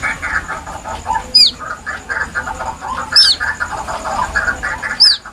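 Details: Plaintive White-breasted waterhen chick calls kept as a hunting lure: three high, sharp arched peeps roughly two seconds apart, each with a quick fall, above a dense, continuous chattering background.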